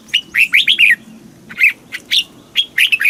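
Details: Southern master-style song of a caged Red-whiskered bulbul from Thailand, used to rouse other caged birds. A rapid run of four liquid, downslurred whistles, then scattered single notes and another short, bubbly phrase.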